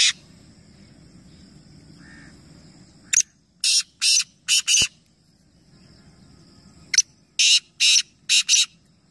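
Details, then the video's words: Black francolin at Nawabshah, Pakistan, among three birds calling together in competition: two full phrases about four seconds apart, each a sharp click then three or four harsh grating notes, with low rumbling background. "Teen Teeter Ek Sath Awaz Competition | Black Francolin"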